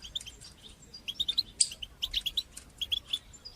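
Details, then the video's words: European goldfinch singing batbata and satsata phrases, used to encourage young goldfinches to sing: rapid high twittering notes, with a sharp buzzy burst midway and clusters of short chirps, over light background hiss. "تقنيات تحفيز طيور الحسون لتشجيع نجاحها في التغريد بتبتة وستستة"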